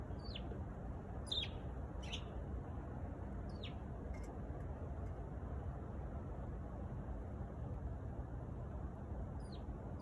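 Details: Sparrow giving short, sharp, high chirps that drop in pitch, several in the first four seconds and another near the end, over steady traffic rumble.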